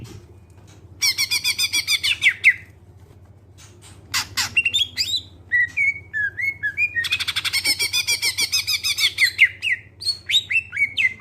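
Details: Greater green leafbird with a clear voice singing to encourage other birds to sing: two long runs of fast buzzy pulsed notes framing scattered sharp clicks and descending whistled notes, a low hum throughout.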